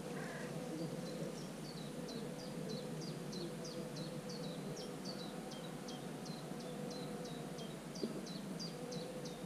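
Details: Common cuckoo chick sitting in a marsh warbler's nest on 24 June, giving rapid high, short notes that each drop sharply in pitch, about three per second, over constant low rumbling noise.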